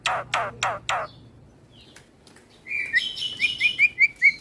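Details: Black-winged starling singing a song said to make other starlings agitated: three harsh rasping notes, a pause with soft whistles, then a quick row of short, clear upslurred whistles.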